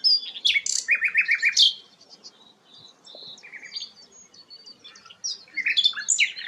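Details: Rare sikatan londo flycatcher giving a varied, chattering song: high squeaky notes, a quick run of five buzzy mid-pitched chips, a pause with soft twitters, then another burst of sharp high phrases.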